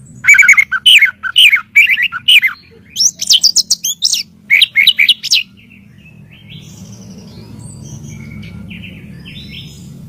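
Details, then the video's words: White-rumped shama song used to train birds: three bursts of quick, sharp chirping notes separated by brief pauses, followed by several seconds of near quiet with faint distant calls. "SUARA BURUNG MURAIBATU || MASTER4N MURAIBATU"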